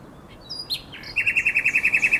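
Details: Nightingale song recorded overnight on 23–24 April 2022 beside the Żerański Canal: a few high slurred notes, then a rapid, even run of about a dozen loud pulsed notes on a single pitch.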